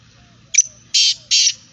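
A black francolin gives harsh, grating notes: a brief first note, then two longer rasping bursts about a third of a second apart. A faint low hum sits underneath.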